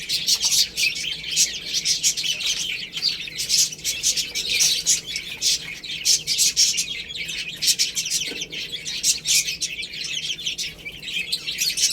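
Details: Loud, busy chorus of shrill chick peeps from baby chickens feeding on rice, chirps tumbling over one another without pause alongside crisp pecking sounds.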